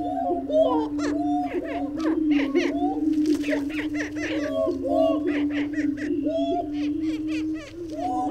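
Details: A great steppe grouse gives a constant low hum beneath a dense, busy stream of cackling, laughing notes that overlap almost without pause.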